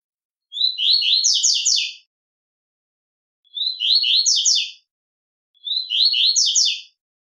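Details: Three bursts of double-collared seedeater song in the velox tui tui style, meant to provoke fighting spirit. Each is a high, rapid, ringing run of buzzy notes with pauses of over a second between them.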